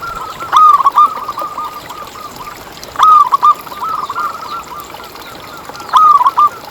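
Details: Local zebra dove singing vigorously, recorded as a lure for other zebra doves: bright rising coo breaking into a bubbling roll, repeated roughly every two and a half seconds, softer rolling notes in between.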